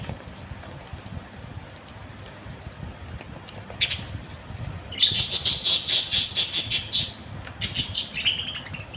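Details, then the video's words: A budgerigar family chatters: sparse faint clicks, then a fast run of rapid repeated high chirps for about two seconds, followed by a few scattered notes. "Beautiful budgies family"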